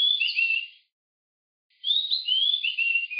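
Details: An Oriental magpie-robin in Pench National Park, Madhya Pradesh, India, gives clear, varied whistled phrases of sliding and rising notes, split by a pause of about a second; no other sounds are heard.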